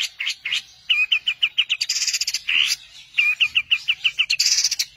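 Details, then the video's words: Cendet (long-tailed shrike) 'tembakan' song for teaching songbirds: quick runs of six to seven identical chipped notes alternating with harsh hissing bursts and upward slurs. "Masteran Handal pAsti nempel, tembakan mewah burung Cendet"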